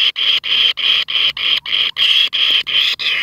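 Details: Young kingfisher begging while its mother feeds it large rats in succession: grating, buzzy calls repeated about three times per second in a steady rhythm, loud and close, with nothing else audible.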